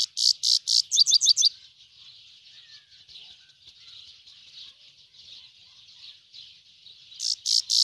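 A grey-headed goldfinch sings bright, rapid twittering notes, then a softer, continuous buzzy warble.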